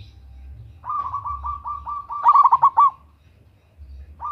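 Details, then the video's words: Female local zebra dove calling to a male, recording used as a lure: a soft rapid trill of pulsed notes leading into a loud bubbling series of about six coos, then a fresh phrase beginning, over low rumbling noise. "Perkutut Lokal GACOR Suara BESAR - Pancingan bunyi"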